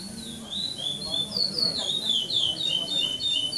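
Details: Chestnut-bellied seed finch, pardo bird, singing without repetition in the 2014 Maranhão praia clássico contest at São Domingos do Maranhão: a quick series of clear, slurred whistles swinging up and down, strengthening as it goes, over soft low murmurs.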